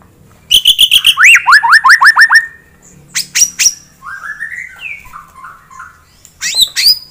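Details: White-rumped shama in full fighter-style song, used to stir up a rival bird's aggression. Bright whistled notes open into a quick series of descending slurred phrases, then softer warbles and a final sharp burst.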